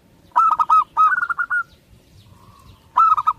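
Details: Local Zebra dove from Indonesia cooing in loud stuttered phrases. A rapid run of notes leads into a longer rolling trill, then after a short pause a new phrase begins.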